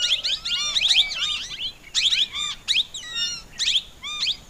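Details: Plum-headed parakeet calling: shrill, squeaky, high notes with curving, partly downslurred shapes, given in rapid overlapping bursts separated by brief pauses, suggesting more than one bird; quiet background otherwise.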